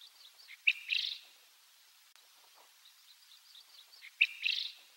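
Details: A wild Japanese quail from a pair, seen from a car window, giving an unusual call for the species: a sharp high note then a rough, raspy burst, twice about three and a half seconds apart, with faint chirps behind.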